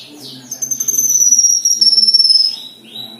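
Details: Black-winged myna delivering a long, thin, trembling whistle that slowly descends, framed by short chirps before and after, with a soft low drone in the background.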